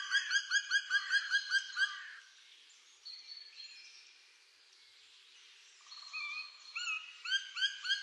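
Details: Black woodpecker calling: a fast series of harsh, ringing notes, about four each second, then a fainter pause with softer tones before the repeated notes resume near the end. The background is quiet.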